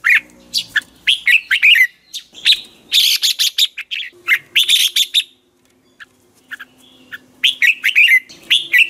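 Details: Red-whiskered bulbul giving its 'ché' voice-training song, used as a lure for other bulbuls. Lively chattered phrases of bright slurred chirps repeat in rapid runs, broken by a short silence before the chatter resumes.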